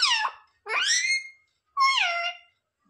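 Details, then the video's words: Pet parrot mimicking words like "mummy papa": three drawn-out harmonic calls, the first falling, the second rising then level, the third a flat wavering tone, each separated by brief silence. "Parrot talking mithu mithu 😱Mummy papa bolne wala mitthu"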